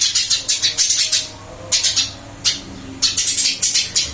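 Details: Eurasian tree sparrow in a cage, singing energetically despite a change of cage; a fast run of shrill chirps, a short lull, then single and grouped chirps returning.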